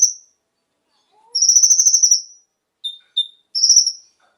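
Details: Konin song used to coax captive birds into song; a long rapid pulsed high trill, then two short whistled notes and another trill, background silent.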